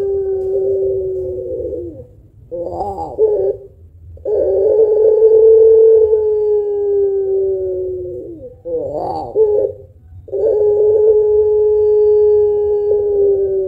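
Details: Puter pelung dove giving long coos meant to stimulate other birds. Three long, level, humming notes of about four seconds each are separated by brief wavering, throaty phrases.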